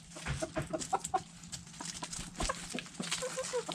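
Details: Backyard hens and roosters feeding on food scraps, giving short, clipped clucks in quick bursts, with a few higher squeaky notes near the end over constant pecking and scratching clicks.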